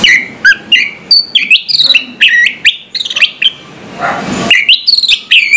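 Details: Orange-headed thrush singing in the morning: a fast, varied run of loud high whistled phrases, sharp chips and slurred notes, with a brief rustling burst of noise midway.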